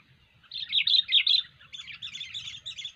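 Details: Kutilang, or sooty-headed bulbul, singing energetically in gacor fashion: a loud cluster of rapid chattering whistles, then a softer continuation of quicker bubbling notes, low rumble underneath.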